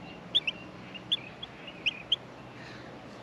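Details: Nestling Australian miners waiting to be fed give a handful of clipped, high squeaks, some in quick pairs, against a low background hum.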